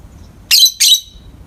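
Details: Two loud, shrill, grating squawks in quick succession from a pair of pet peach-faced lovebirds in the morning light, the second trailing into a thin whistle.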